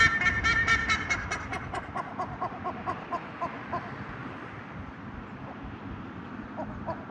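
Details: Black-faced ibises in Punta Arenas, Patagonia, Chile: a burst of loud, harsh, nasal honking calls at the start, then a fast run of short repeated notes fading under steady wind and traffic rumble.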